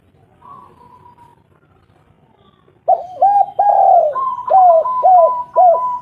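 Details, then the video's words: Spotted dove, a local bird used as a lure call to set lazy birds singing; after near-silence with a faint thin whistle, a run of low, rounded, arching coos begins, with a steady higher whistled tone above them. "pancingan maut tekukur derkuku lokal gacor burung malas bunyi langsung gacor"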